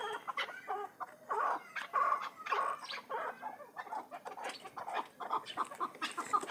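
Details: Calls of a hybrid chukar partridge: bursts of harsh clucking notes in irregular groups, some clear ringing chucks in the middle, with other birds audible behind.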